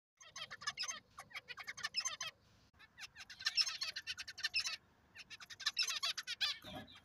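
Zebra finches chatter in quick, buzzy, nasal bursts, three fast stuttering phrases of about two seconds each with short pauses between.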